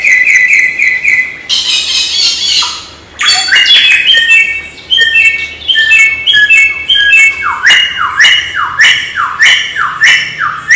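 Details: Samyong song used as tutor material for training songbirds: varied bursts of squawky and chirping notes, some bright and high, then a run of rapid repeated descending whistled notes.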